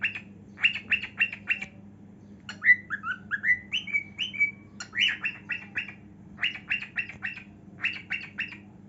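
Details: Pet cockatiel singing while dancing: bursts of harsh, rapid squawky notes alternate with a rising-and-falling whistled phrase, the squawks coming in tight clusters of four or five.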